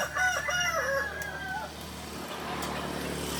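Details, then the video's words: Kokok Balenggek rooster at a joint training session in Ampang Kualo, Kota Solok: a long crow of several stepped, wavering notes over the first second and a half, then fading into background murmur and distant hum. "ayam kukuak balenggek"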